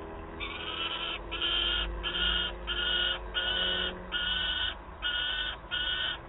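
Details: Peregrine falcon chick in Wałbrzych, Poland, 9 August 2022, begging its mother for prey: about eight harsh, rasping, evenly spaced wails, each roughly half a second long, with short gaps between them over a faint low hum.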